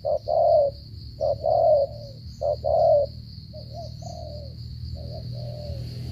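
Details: Spotted dove giving a stuttering coo: a short note then a longer, mid-pitched hooting coo, repeated about once a second, with fainter coos later over a steady high hum and low rumble.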